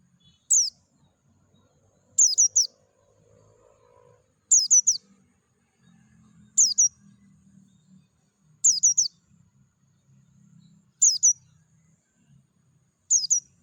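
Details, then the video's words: White-eye of the Dakun type singing outdoors in natural surroundings: clusters of two or three high, sharp, falling chirps repeated roughly every two seconds, with soft low background hum. "PLECI DAKUN NGALAS SUARA JERNIH"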